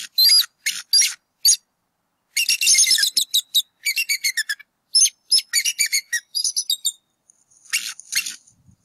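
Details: Adult bald eagles calling at a campus nest in northwest Georgia on 8 April 2018 as an intruder is chased away: dense, high-pitched chattering and squealing bursts in close succession, brief gaps between runs, shrill piping notes near the end.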